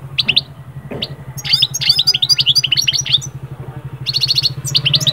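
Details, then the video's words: European goldfinch song of the moult-breaking style, meant to stir moulting birds into summer breeding mood: fast, bright twittering bursts of high chirps and rapid trills over a steady low electrical hum. "أخرج حسون من هدوء غيار الريش ألي هيجان الصيف فورا"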